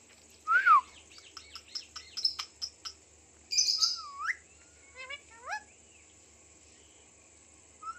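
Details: Indian ringneck parakeet kept as a talking pet: a loud sharp up-and-down squawk opens, followed by rapid clicky chatter and several short rising, voice-like phrases before fading out.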